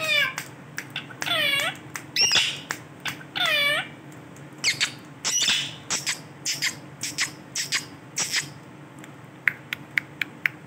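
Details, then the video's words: Male rose-ringed parakeet giving harsh, ringing screeches with strong harmonics, several long bent squawks early on, then a run of short sharp chips and squeaks at uneven intervals, indoors. "Amazing sound of Ringneck parrot beautiful male Ringneck parrot"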